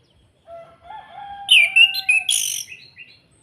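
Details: Kretekan song of an orange-headed thrush, meant to trigger other birds' singing: low whistled notes build into a dense, loud run of high, crackling and whistled phrases that fades out after about three seconds.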